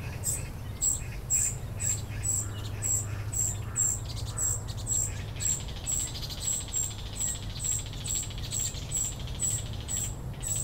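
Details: Juvenile common cuckoo tended by a vinous-throated parrotbill host that carries food to it; a long run of piercing, high-pitched notes, roughly two per second, over a low background hum and occasional softer chirps.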